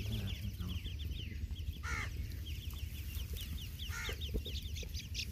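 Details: Grey francolin chicks feeding: a run of short, high, thin chirps repeated rapidly through the first half, with louder harsh, cawing calls near two and four seconds over a steady low rumble.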